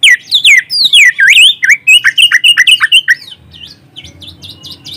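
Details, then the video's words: White-rumped shama lure song, phone-recorded and meant to rouse silent or young shamas. Rapid, loud, swooping whistles and looping slurs come in a dense string, then fade into softer, higher chips at the end. "Pancingan Burung Kacer"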